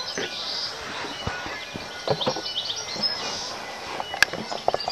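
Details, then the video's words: Bellbirds calling outdoors: thin, high tinkling notes and brief chirps over a steady hiss of background noise, with one sharp click near the end. "Bell Birds"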